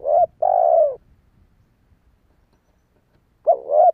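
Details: Spotted dove calling to lure wild doves: a short double-noted coo followed by a long drawn, slightly falling coo, then a pause of over two seconds before the phrase begins again; quiet background.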